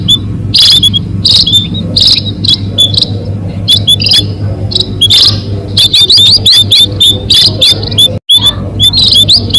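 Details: Munia calls used to lure birds for capture: a busy stream of high, sharp chirps and short slurred whistles from several birds. The calls thicken in the second half, with a brief dropout near the end.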